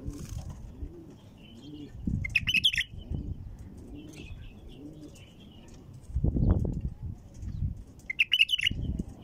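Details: Female bulbul song used to set other bulbuls singing: a short gurgling phrase early and another near the end, with faint higher notes between and low rumbling underneath.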